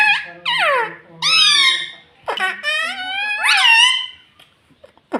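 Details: Talking pet parrot indoors, mimicking human words such as mummy and papa; several drawn-out, reedy, speech-like syllables with falling and rising glides, one after another, ending in a quiet room with faint clicks.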